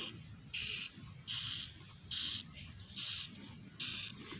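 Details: Swiftlet chicks calling from inside a small swiftlet nest house, recorded indoors: loud buzzy, hissing bursts repeated a little more than once a second, each about a third of a second long, over a low background hum.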